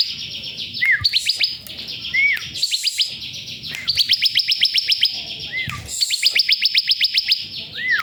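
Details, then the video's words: Bar-winged prinia song used as a master recording for training songbirds: rapid bursts of thin, high, stuttering notes at about four per second, each burst introduced by a short down-slurred whistle, with faint low rumble beneath. "masteran ciblek"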